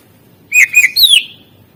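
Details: Greater green leafbird, a master recording used to prompt quiet birds into song: a short burst of clear whistled notes near the upper-middle pitch, three quick slurred syllables followed by a higher descending whistle, over a quiet background.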